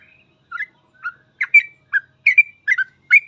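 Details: Sooty-headed bulbul singing in chatty 'full ropel' style for bird training: short warbled, slurred phrases at a steady pace, roughly two per second, some doubled, clear and without background noise.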